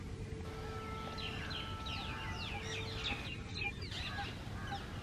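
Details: Rose-ringed parakeets, including a female, fighting and challenging each other for dominance at a grain-filled bird feeder: quick sharp chirps and squeaky rising and falling notes in rapid irregular series, over steady humming tones and background noise.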